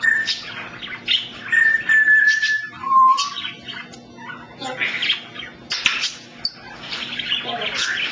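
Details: Captive African grey parrot mixing clear, level whistles with a sliding lower whistle, then bursts of scratchy chatter and sharp clicks, in a quiet indoor room.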